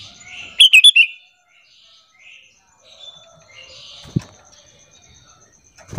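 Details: Sooty-headed bulbul lure bird calling to provoke other bulbuls to answer: one loud burst of four quick, bright chirping notes, then near silence with faint chirps and a few knocks.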